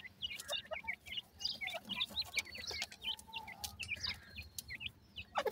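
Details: Grey francolin chicks feeding, producing soft, thin, upturned chirps in a steady irregular patter, several at once, against low background rumble.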